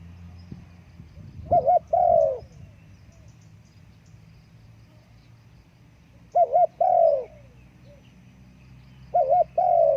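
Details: Spotted dove calling three spaced phrases, each a quick double note and a long descending coo, separated by several seconds of quiet hum, a brief thump near the start.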